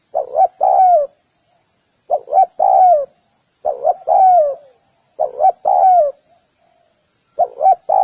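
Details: Spotted dove cooing in repeated phrases. Each phrase is two quick low coos followed by a longer, drawn-out falling coo, repeated about every one and a half seconds over a quiet background.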